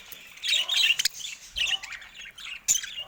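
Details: Budgerigars in a cage produce harsh, buzzy squawks and fast twittering in short bursts separated by brief pauses, ending with a sudden sharp click-like note, as the birds attack a camera.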